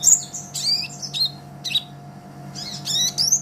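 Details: Sunbird known as Kolibri Ninja, a master recording for song training, pours out dense high-pitched twitters and buzzy squeaks in quick succession, a low hum underneath.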